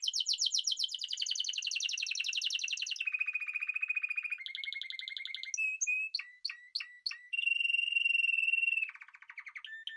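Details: Spanish timbrado canary singing: a fast buzzy trill sliding slightly downward, then even rolling trills, a run of sharp clipped chips, a long high rattling roll, and a lower roll at the end. No other sounds.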